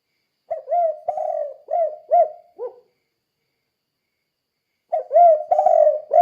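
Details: Spotted dove in "kuk 2" gacor song, intended to make other doves sing too; a phrase of soft low coos ending in a brief lower downslurred note, then quiet, then another phrase starts; nothing else audible.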